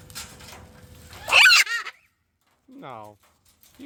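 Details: During morning feeding in the aviary of a parrot rescue, a parrot lets out one harsh, loud, grating scream lasting a fraction of a second, between a person's quiet talking before and after.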